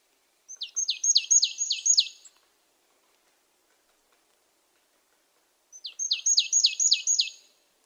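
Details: Marsh tit calling: two bursts of six to seven rapid, high, descending chirped notes each, about five seconds apart, with nothing else audible.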